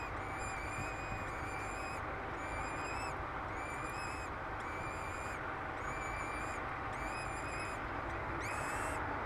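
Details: Two peregrine falcon chicks, hatched 10 May 2007 on the tower of Derby Cathedral, England, beg while being fed, giving high, harsh, wheezy cries in short bursts about every second and a half over a steady roar of traffic and wind.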